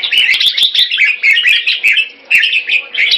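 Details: Keke on command from a caged Red-whiskered bulbul in Singapore: rapid, bright chattering phrases repeated with brief pauses, mixed with sharp tapping clicks.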